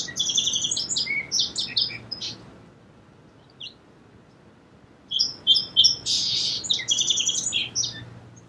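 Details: Song sparrow singing two songs a few seconds apart, each a quick series of high, clipped notes running into a jumbled, buzzy trill, with a quiet gap between them.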